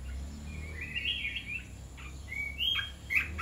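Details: Caged red-whiskered bulbul in a mixed 'dok taeng' and 'ta daeng' style, giving soft drawn-out whistled phrases with gliding pitch and a few sharp chips, against a steady low rumble.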